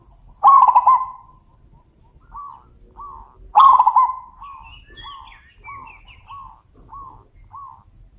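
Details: Zebra doves in a back-and-forth exchange: two loud, rich rolling coo phrases, with a fainter bird answering between them in short evenly spaced cooing notes, roughly every half second, plus faint high chirps from other birds.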